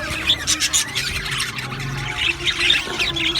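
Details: Aviary budgerigar colony chirping, bright squawks and short twittering notes over a constant background of overlapping flock chatter, some louder calls standing out near the end.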